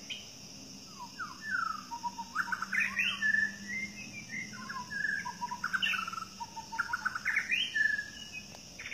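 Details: White-rumped shama, known as Murai Batu Medan, singing in the wild in forest; varied melodious whistled phrases, rising and falling slurs and quick twitters, with a steady insect hum behind.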